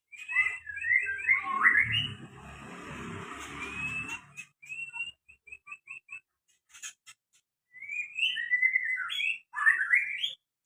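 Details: White-rumped shama song of varied whistled phrases, with rising and falling slurred notes, quick repeated short whistles, and a later burst of rapid warbled phrases, partly overlapped early on by a low rumbling, noisy background.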